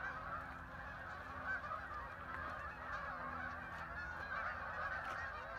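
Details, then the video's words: Thousands of ducks fly in and land on the water at Hockanum River Linear Park, Vernon, Connecticut, making a dense, unbroken, strange-sounding wall of overlapping nasal quacks and honks heard from a distance. "thousands of ducks arrived making a strange noise"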